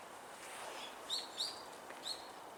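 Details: A Brown-eared Bulbul gives three short, high, upslurred chirps about half a second apart over soft outdoor hiss, in a snowy nature park on 8 February 2026.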